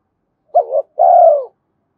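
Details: Single coo phrase from a spotted dove used to lure wild birds: a brief wavering hoot, a tiny pause, then a long, steady, gently falling coo. Quiet background.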